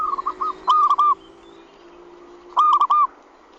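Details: Zebra dove calling as a bird lure to bring others in quickly: quiet stuttering notes, then two loud, rolling trilled coo phrases about two seconds apart over low hum.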